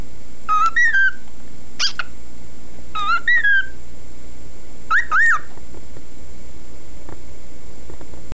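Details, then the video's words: A pet male cockatiel sings a whistled tune of four short phrases, clear notes that swoop up and down, followed by near silence for the last three seconds, with a faint low hum underneath. "singing (whistling)"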